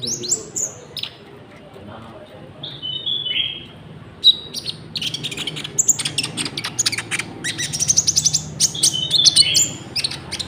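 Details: Common Iora song containing cricket-like fill-ins, used for trapping lures and for training caged birds; slow high whistles and a descending slur open, then fast rattling buzzes and chirps build up.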